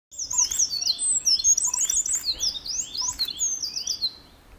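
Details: A Eurasian wren in Fukuoka Prefecture, Japan, singing just in front of the recorder: a loud, rapid outpouring of high, tinkling trills and sharp notes, tumbling without pause for several seconds.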